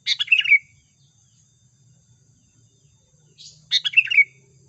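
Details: Sooty-headed bulbul trapping-lure song: two lively bubbling phrases of quick chirps and a descending whistled slur, separated by about three seconds of near silence with a soft low hum underneath.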